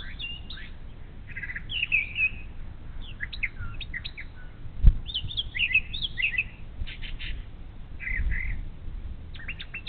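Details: A brown thrasher sings in the morning beside the Little Miami River, Ohio: a long run of varied phrases mixing sharp chips, slurred whistles and buzzy bursts, with a single loud thump and low rumble.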